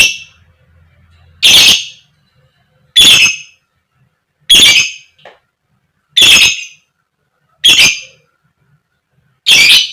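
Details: Female fighter lovebird giving koek koek calls intended to lure other lovebirds into singing: six loud, harsh, buzzy squawks at a steady pace of about one every one and a half seconds.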